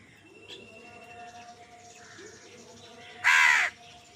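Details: Crow fighting over food gives a single loud, harsh caw lasting about half a second near the end, after a stretch of faint background chirps and a steady low hum.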